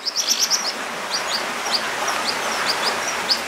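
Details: American dipper chicks, two to three days old, being fed by both parents: thin, high, short chirps in quick runs, then scattered single chirps, over a steady rushing of water.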